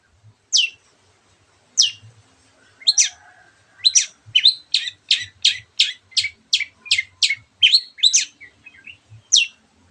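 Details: Long-tailed shrike in lively full song: sharp, high downward-sweeping notes, first spaced, then delivered in a fast even series of about a dozen strokes before a final isolated note; faint low thumps underneath.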